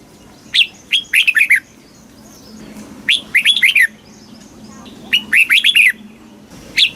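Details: Red-whiskered bulbul kept in a cage in Thailand, delivering southern master-style song to stimulate caged birds and teach young ones. Three brisk warbled phrases roughly two seconds apart, then a single opening note of a fourth.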